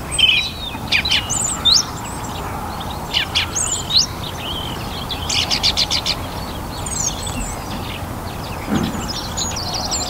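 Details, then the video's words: Male song thrush in a North Antrim garden on a warm, sunny spring evening delivers bright, varied whistled and chattering phrases, some repeated in quick stutters, over a low steady rumble; a rook may caw once. "Song Thrush - evening chorus"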